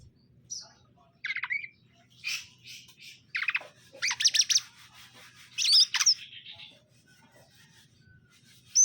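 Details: Pairing a caged male and female greater green leafbird; harsh buzzy bursts and scratchy squawks in separate phrases with quiet gaps between.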